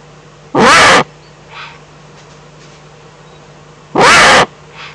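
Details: Eurasian eagle-owl, Eifel region of Germany, April 2014: two harsh, raspy hissing screeches about three seconds apart, each roughly half a second long. Faint softer noises fall between them over a steady low hum.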